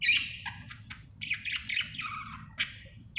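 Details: Happy budgie chattering quietly: mixed warbled notes, short clicks and descending whistled slurs at a soft level, with low background hum.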